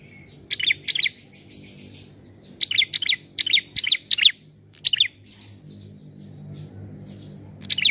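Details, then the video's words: Relaxed prinia song meant to lure birds for trapping, given as quick clusters of sharp, high chirping notes in bursts separated by short pauses, with a soft rumbling background throughout. "Prenjak Bunyi Santaii Untuk Pancingan & Pikat"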